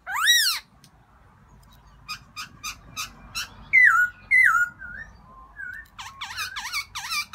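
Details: Black-throated laughingthrush calling for a new mate in spring: a loud squealing note, a few short clicks, then falling whistles and a quick burst of wavering notes over a soft background hum.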